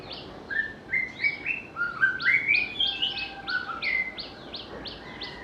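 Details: A white-rumped shama, known here for a sweet, varied song that can copy other birds, sings rising whistles and warbles, then a long run of crisp, evenly spaced chip notes about two per second.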